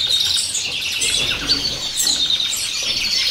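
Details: Female common chaffinch feeding her chick, which begs with a rapid, unbroken stream of shrill, high chirps and squeaky twitters. Brief whistled notes stand out over the steady chatter.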